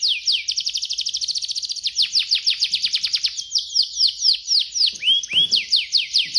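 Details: Indonesian competition canary singing from a cage: a fast rattling trill of rapid high notes, then slower descending whistled sweeps and a pair of rising chirps, high and bright throughout.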